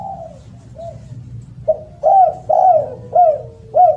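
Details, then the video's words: Loud, melodious spotted dove calling. Faint opening coos give way to a rapid run of four or five strong, rounded, downslurred coos in the second half, over a low indoor hum. "SUARA BURUNG DERKUKU ( suara keras )"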